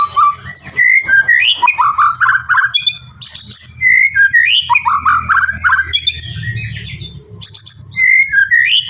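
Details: Murai batu, the white-rumped shama of the Blorok type, delivering a dense, unbroken medley of rich slurred whistles and rapid trills that sweep up and down, with high sharp notes mixed in over steady low background hum.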